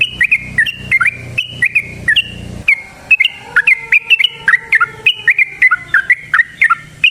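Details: Sooty-headed bulbul delivering a varied chattering song played to coax other bulbuls into singing: bright, liquid phrases repeated in quick succession, with a faint low hum in the background early on.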